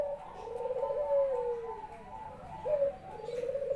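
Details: Home-kept Barbary dove in full voice, greeting its owner after work. Low, mellow coos roll on continuously, each long purring phrase sagging in pitch before a fresh short note starts the next, indoors and quiet.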